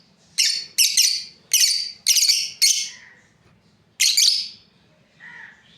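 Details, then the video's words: Lovebirds, a breeding pair, sounding five harsh, high chirps in quick succession, a pause, then one more, followed by a softer lower note. "Beautiful lovebirds chirping sounds"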